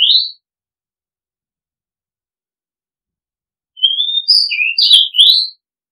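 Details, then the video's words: Oriental magpie-robin: a brief rising whistle, a pause of several seconds, then a loud varied phrase of long slurred whistles and quick sliding notes. "Oriental Magpie Robin Sound Long play เสียงร้อง นกกางเขนบ้าน"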